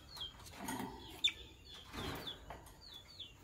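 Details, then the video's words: A green Fischer's lovebird couple singing and chirping in the morning: short, high, thin chirps that slide downward, given singly every half second or so, with soft rustling and clicks behind. "Green Lovebird Couple Singing & Chirping Voices - Green Fischer Couple"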